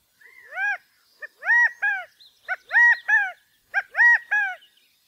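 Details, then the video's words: California quail mating call, repeated three times: each phrase is a short clipped note followed by two louder, drawn-out arched notes, roughly one phrase per second, with no background noise. "California Quail Bird Sound/Call/Song/Noise/Mating calls"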